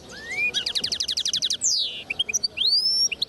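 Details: Brief burst of song from a linnet-goldfinch hybrid, 2010: a rising whistle, then a fast trill of about a dozen sharp repeated notes, a down-slurred buzzy note, and a long upswept whistle.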